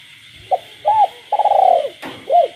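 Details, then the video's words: After dark in a rural village a caged spotted dove coos amid calling frogs. A short note and arched coo precede a long rolling pulsed coo and a last arched coo. A sharp click breaks in near the end over a constant high hum. "cu gáy trong đêm"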